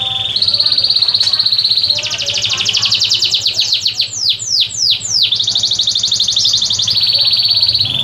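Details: Sanger bird kept for three months and learning its song: a loud, sustained high trill that breaks into rapid repeated notes and sweeping downward slurs, then returns to a steady trill, with a faint low hum beneath.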